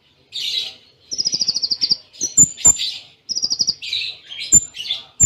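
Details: ['Konin song in the style of Cililin imitation with brief gaps; a scratchy burst, a fast rattling high trill, thin piercing whistles and harsh chatter, with the whole sequence repeated.']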